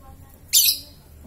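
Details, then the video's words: Young caged lovebird under mental training gives a single sharp, harsh squawk-like chirp, rising quickly and fading over a quarter second against a quiet background. "Melatih mental burung lovebird paud dan akhirnya muncul ngekek nya"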